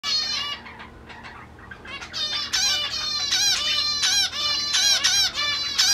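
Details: Zebra finches during mating attempts: a rapid series of nasal, honking calls with stacked harmonic bands, about three per second. The calls grow louder and denser after a quieter opening second.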